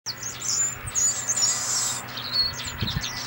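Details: Male white-browed blackbird singing: thin, high whistled notes and a buzzy, hissing stretch in the middle, with a short sliding whistle near the end; faint low thumps underneath.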